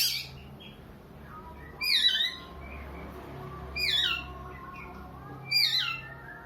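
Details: Oriental magpie-robin giving a sobbing, crying-child-like sound: three loud, harsh, downslurred wailing notes rich in overtones, one roughly every two seconds, with faint softer notes between them over a quiet background hum.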